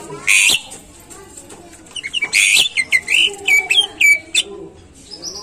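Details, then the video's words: Greater green leafbird song played to spur caged birds into singing: loud ringing high notes followed by a string of short whistled phrases, each dropping slightly in pitch. "Pancingan Cucak Ijo Biar Rajin Bunyi Dan Gacor"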